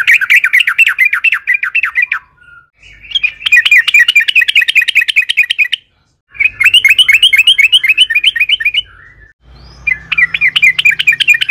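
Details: Yellow-vented bulbul giving long rolling song as a lure for other bulbuls: four extended bursts of rapid, bright, bouncing chirps, each about two seconds long, separated by short pauses.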